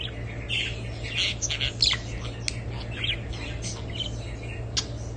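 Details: Budgerigar warbling: dense, busy chatter of squeaky chirps and short buzzy notes tumbling together, with a constant low hum beneath.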